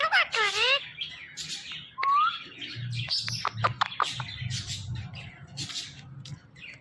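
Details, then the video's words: Male ringneck parrot kept as a pet, talking: a short raspy spoken-sounding phrase, then a single rising whistle, followed by scattered clicks and faint chirps over low hum. "This Ringneck Parrot Is Really Appreciable Because Of His Best Talking"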